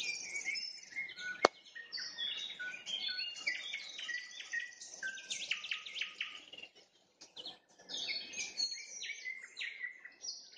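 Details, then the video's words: Nightingale trills at sunset: a rich, varied song of rapid chirps, clear whistles and buzzy flourishes, phrases separated by short pauses, with one sharp click near the start. "Пение соловья на закате, соловьиные трели"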